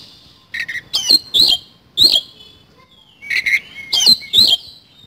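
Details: Oriental magpie-robin in isian kasan song: paired buzzy lower notes followed by sharp whistled slurs, given in two short phrases about three seconds apart, against faint background hiss.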